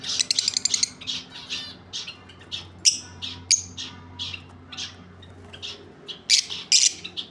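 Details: Two lovebirds chattering continuously: a rapid stuttering burst, then scratchy squeaks and several loud shrill shrieks.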